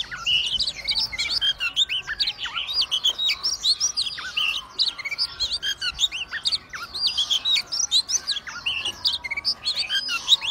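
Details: Oriental magpie-robin singing steadily while fanning its tail and swaying: a dense, unbroken stream of bright whistled notes, slurred upward and downward sweeps and quick chirps, with hardly any pauses over ten seconds.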